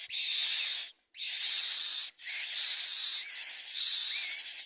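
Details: Common myna bringing nestlings as food for its young; loud, scratchy hissing rasps in four long bursts separated by short gaps, with faint thin squeaks threaded through the later ones.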